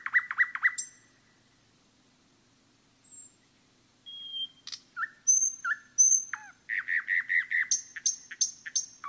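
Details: Common nightingale singing in a forest: a fast run of loud repeated notes, then a pause, high thin whistles, a sharp downslurred note, and finally a rhythmic series of rich, rapidly repeated chirping notes.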